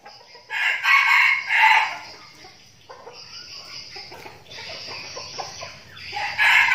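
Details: Captive red junglefowl decoy birds, a flock trained for outings in Binh Phuoc, Vietnam, crowing: a loud, harsh, rasping crow of about one second, quieter clucks and rustling between, then another crow starting at the end.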